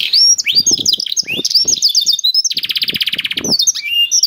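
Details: Energetic canary song in 'gacor' style with special 'cengkok' turns, played to get other canaries singing: varied warbled whistles, then a fast buzzy trill, with soft low knocks in the background.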